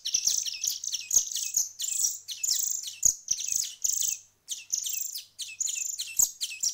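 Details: A nest of young songbirds, hand-fed for a week, keeps up a continuous shrill chorus of squeaky, rasping chirps. A short pause breaks it before the insistent calling resumes.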